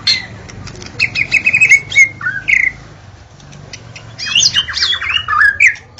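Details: White-rumped shama recorded in the forest, singing varied whistled and chattering phrases around mid-high pitch, with rapid repeated notes, short slurred whistles and a burst of bright trills near the end.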